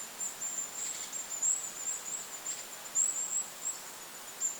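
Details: Goldcrest heard in lakeside forest: sparse, extremely high, thin call notes in short clusters, with steady wind noise underneath.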